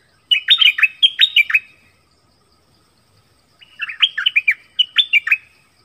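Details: Forest recording from 13 January 2021 of a caged dok taeng decoy calling a mate. Two bursts of rapid, chattering, fluty notes, each lasting about one and a half seconds, are separated by roughly two seconds of silence.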